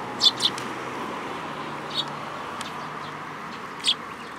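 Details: Sparrows at a Tenmangu shrine on 26 June 2022, hopping onto a person's hand to be fed; short, high chirps, a quick pair first, then single notes spaced well apart, over a steady low outdoor hum.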